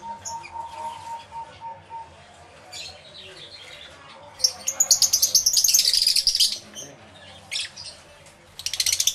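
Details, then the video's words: Aviary lovebirds recorded on a camera with two external microphones; faint scattered chirps, then a loud run of fast pulsed chattering, isolated squeaks, and a final rapid twittering burst. "Lovebird Sounds Aviary Series V1"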